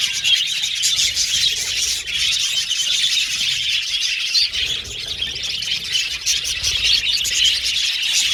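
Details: Male blue and violet budgerigars in an aviary colony, chattering in a dense, continuous mass of high chirps and warbles with sharp squeaks scattered throughout, no pauses.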